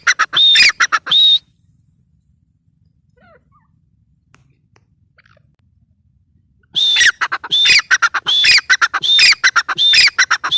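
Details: Female grey francolin, or teetar, gives a short burst of shrill calls, then a long silence, then an energetic run of repeated phrases. Each phrase pairs a thin whistled note with a quick series of harsh clipped notes.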